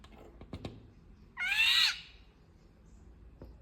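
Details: Indian golden oriole giving one grating, nasal, mewing squawk of about half a second that arches and drops at the end; a few sharp clicks before and after.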